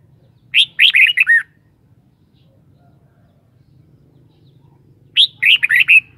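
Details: Kept red-whiskered bulbul repeating its short, rollicking song twice, roughly four and a half seconds apart. Each phrase is five bright, slurred notes delivered rapidly, over a faint low hum.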